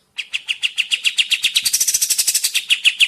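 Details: Sooty-headed bulbul lure sound meant to make birds respond and sing: one unbroken, fast train of sharp repeated notes, slightly quickening midway, lasting about three seconds.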